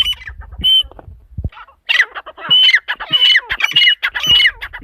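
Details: Partridge female, locally teetar, uttering rough squawking notes: a few scattered calls with some low background rumble, then a dense run of loud harsh grating calls repeated rapidly.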